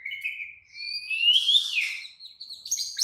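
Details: Excited White-rumped shama pouring out continuous song: a clear rising whistle that swells into a harsh, rich flourish, then jumpy high chirps.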